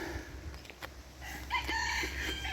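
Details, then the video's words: Rooster crowing among hens and roosters at the old Mandres station, now an educational farm, on the Briard plateau in France; a short strained crow rises from the middle of the clip over steady outdoor background noise. "Donc si vous entendez des poules chanter, c'est un peu normal, poules et coqs, c'est normal."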